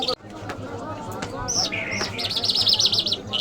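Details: Lark, called jal locally, singing: after a few soft clicks come sliding whistles, then a rapid warbling trill of high notes repeated quickly, with people talking and a low hum behind.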